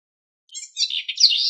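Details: House wren singing to teach its chicks: a brief, bubbly burst of high, jumbled chattering notes that grows louder and ends in a sustained warbled phrase, with no other sounds.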